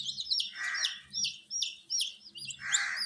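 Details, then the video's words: Baby chicken chicks cheep loudly in a warmed brood, shrill peeps slurring downward roughly every half second, mixed with two broad raspy bursts and a faint low hum. "Witty MURGI Baby "Chicks Chirping" Sound"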